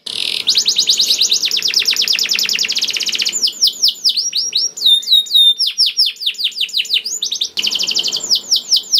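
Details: Canary song played to coax canaries into singing: a fast rattling trill at the start, then varied whistled sweeps and chirps, ending in another rapid rolling trill.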